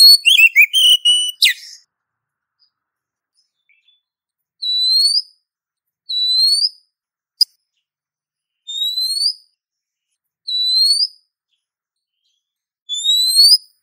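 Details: Female Oriental magpie-robin calling to a male in breeding condition, used as a lure: a brief jumble of fast whistles, then a string of single high upslurred whistles spaced roughly two seconds apart, with one sharp click.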